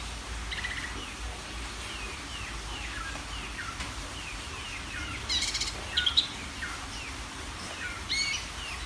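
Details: Greater green leafbird singing nonstop to agitate other birds: faint repeated downward chirps, then loud piercing notes around five to six seconds and a final sharp whistled phrase, above a low background hum.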